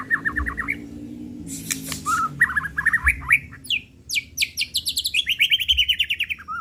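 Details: Agitated 'pastol'-style white-rumped shama lure song: short ladders of repeated whistled notes, dense bursts of high clicks and buzzes, then a fast run of descending chirps, over a faint low hum.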